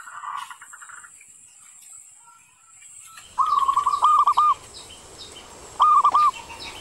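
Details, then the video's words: Local zebra dove master song used to lure other doves into singing. After a brief rough sound and a quiet pause, two stuttering phrases of soft, even tonal coos, with a faint chirping bird above and a steady high hiss. "Suara Masteran Perkutut Lokal"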